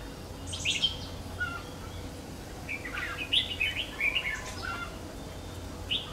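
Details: Red-whiskered bulbul, a 'Má Lỡ' trapping bird nearly through its moult, recorded 3 September 2019: bright warbled phrases in short bursts, one near the start and a busier run in the middle, over steady low background hum.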